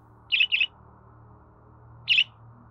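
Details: Budgerigar sound meant to prompt a pet bird to sing: a quick pair of gritty chirps, a pause of over a second, then one more chirp, over a low hum.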